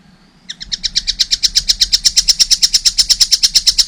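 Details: Young collared kingfisher starting up a fast, regular string of harsh chattering notes that grows louder and keeps going steadily.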